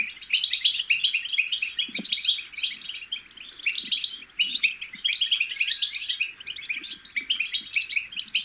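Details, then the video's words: European goldfinch chicks' twittering song, known as bitbita, used to stimulate goldfinches to sing: a dense, continuous stream of high, quick chirps and trills with fast, jumbled notes that barely pause, plus faint low knocks underneath. "بتبتة الحسون الأكثر تحفيزا أن لم يغرد الحسون فعلم حسونك انثى او ابكم بتبتات فراخ الحسون الفتاكة"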